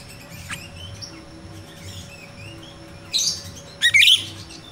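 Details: Jalak rio-rio myna in the wild, a sound used to lure captive birds being trained: faint thin whistles, then two loud, rasping, buzzy bursts near the end, over a constant low hum.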